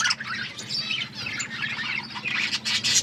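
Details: Australian parrots, pet budgies, chattering while feeding; dense, lively high warbling and rapid chirps run almost without pause, several birds overlapping, with faint low rumble beneath.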